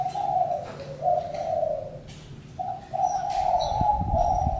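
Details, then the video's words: Spotted dove coos in two bouts, rough and level, with a short break between; thin high whistles of other birds and some low knocking noise behind. "Chim cu gáy-Đam mê tiếng chim cu"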